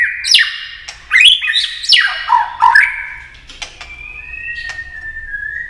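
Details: Shama (white-rumped) song aimed at provoking competitive singing. Quick swooping and descending whistled notes with squawky edges, then quieter drawn-out whistles near the end.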